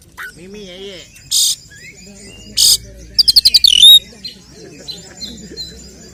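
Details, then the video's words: Oriental magpie-robin (kacer) fighting song meant to provoke other males and raise the bird's emotion: scattered soft notes, then a quick burst of rapid clicking notes ending in a loud descending whistle, with a few harsh noisy bursts. "Kacer gacor 🔥TARUNG KONSLET nembak BUKA EKOR pancingan efektif UNTUK mendongkrak EMOSI burung KACER"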